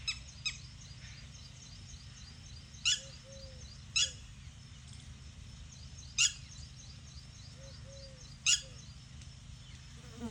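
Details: Red-wattled lapwing repeating piercing, sharp call notes a second or two apart. Softer low whistled notes from another source and a constant high faint tone sound in the background.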